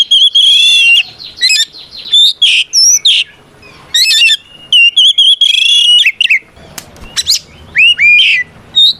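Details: Oriental magpie-robin in loud fighting song meant to provoke rival birds; rich warbling runs, high pure whistles and harsh buzzy notes in rapid, irregular phrases with short gaps.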